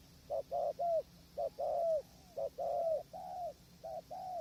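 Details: Decoy-trapping spotted dove near a hide, windy conditions, wild birds distant: repeated phrases of a brief coo then a longer falling coo, about one phrase per second, steady and mellow, with faint constant hum beneath.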